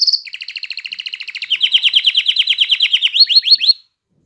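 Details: Canary song for stimulating females and teaching chicks, a long rapid rolling trill that steps down slightly in pitch, ending with three quick upward-sweeping whistles before silence.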